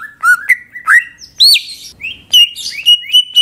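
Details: Greater green leafbird song used to draw others into song: mid-pitched whistled slurs, a loud rising high note, then a series of level whistles interrupted by abrupt chirps.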